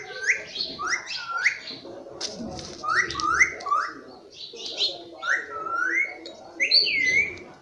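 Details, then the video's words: Pet rose-ringed parakeet, green ringneck, talking nonstop, saying words like mummy and papa: repeated squeaky rising two-part phrases in bursts of two or three, with brief whistles and some background noises between. "Nonstop Speaking mummy papa"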